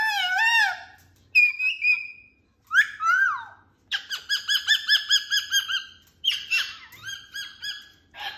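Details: Pet cockatoo in a loud, happy mood giving a varied string of calls: a wavering squawk, a flat whistled note, a falling screech, then a rapid chattering sequence of short harmonic notes and closing squawks.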